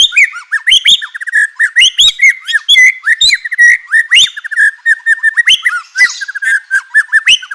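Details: White-rumped shama song meant to provoke other shamas into singing: dense, energetic chattering of quick varied whistles and slurred notes, continuous and loud with barely a pause.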